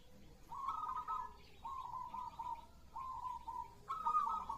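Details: Zebra dove, local perkutut, singing: a series of soft, rolling coos in phrases about a second long, repeated four times, the last slightly higher and louder.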